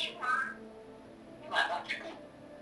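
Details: An 8.5-month-old African grey parrot gives two brief, speech-like warbling phrases about a second apart, with tonal, slightly mournful, sad-song inflections; faint room noise beneath.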